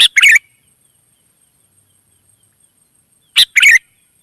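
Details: Wild sooty-headed bulbuls answering: a loud double burst of bubbly, chattering chirps, a long silence, then a second matching burst of two rich, throaty notes.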